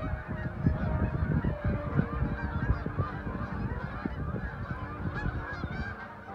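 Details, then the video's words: Geese in flocks crossing Lake Okabena, Worthington, Minnesota: a short burst of loud, overlapping honks, many birds calling quickly and irregularly. "Geese Over Lake Okabena"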